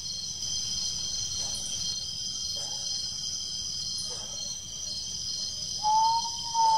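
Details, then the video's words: Common Potoo at night in Peruíbe, São Paulo, Brazil, 20 September 2018, responding to playback: a single clear, mournful whistled note near the end, over a steady high chorus of night insects and faint low rumble. "Commom Potoo (Nyctibius griseus)singuing"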